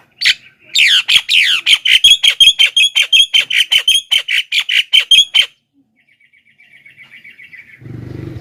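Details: Javan myna in loud, lively calling meant to draw in wild mynas: a fast, rattling run of harsh, buzzy notes with a whistled overtone, about three per second. It ends abruptly, then faint chatter and a low rumble follow.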